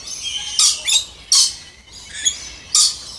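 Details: Moluccan red lories, pure subspecies, giving three sharp, loud screeches spaced roughly a second apart over faint background chatter.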